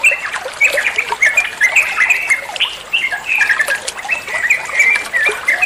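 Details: Bulbul known locally as trucuan, recorded as master song for training songbirds; lively, continuous babble of sharp whistled notes and squeaks, with a faint trickling hiss in the background.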